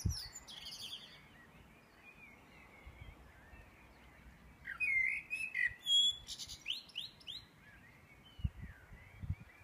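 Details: Dawn chorus in Edinburgh at 4am on 9 May 2014: several birds sing faint warbles and high trills, with one louder burst of chirps and rising whistles near the middle.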